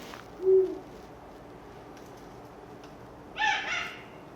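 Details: Eurasian eagle-owl pair, monogamous cliff nesters breeding in February: one deep, short male hoot, then after a pause a harsh, raspy female call, her demand that the male hunt and bring food while she sits on the eggs.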